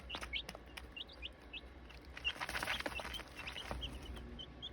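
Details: Nine 7-day-old chicken chicks in a chicken yard, giving quick high thin peeps, each a short downslurred chirp, scattered irregularly over a soft background hiss with a few faint clicks.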